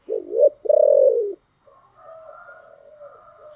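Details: Spotted dove giving the giọng thổ song: a short coo and then a long, loud, falling coo, followed by quiet, thin tones held at a higher pitch.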